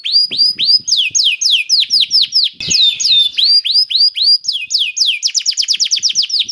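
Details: Canary in steady song, meant to encourage other canaries to sing: repeated loud down-slurred whistles about four per second, a brief rough interruption, then a quickening run of chirps ending in a rapid trill.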